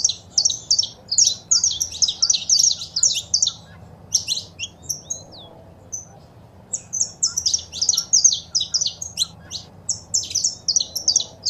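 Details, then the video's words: Male saffron finch singing alongside female calls, used to stimulate pet birds: bursts of rapid high chirps separated by pauses, a few thin upward whistles in the gap, steady low hum beneath. "Foguea seu Canário da Terra com Esse Piado de Fêmea e o Macho Cantando"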